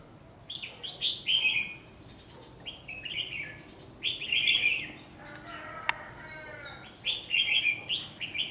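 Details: Red-whiskered bulbul recorded during bulbul trapping on 1 July 2020: short, bright, warbled phrases repeated in bursts about every second or two. A steady high whine runs throughout, with a sharp click near the middle.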